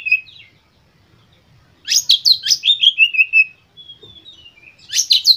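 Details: White-rumped shama song to stimulate other birds, a loud rhythmic series of rapid chirps descending in pitch, a thin whistled note, then a new burst begins.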